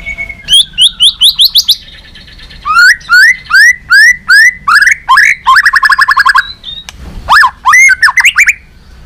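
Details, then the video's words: Competitive song of a tail-flicking White-rumped shama changing voice often: a run of quick rising whistles, a series of loud upslurred notes, a dense buzzy trill, then sweeping whistles, delivered continuously. "chòe Lửa đập đuôi hót đấu liên tục nhiều giọng"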